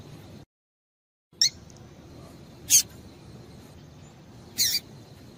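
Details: A female Double-collared Seedeater's call, used to stir males into singing, gives three brief, high, slightly falling notes about two seconds apart, over faint background hiss.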